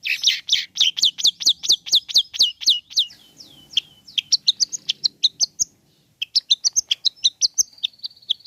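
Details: Long-tailed shrike song aimed at rousing a sluggish shrike to answer: a fast run of about a dozen sharp, high, evenly repeated notes, then a jumble of varied chirps, slurs and buzzy high notes after a brief pause.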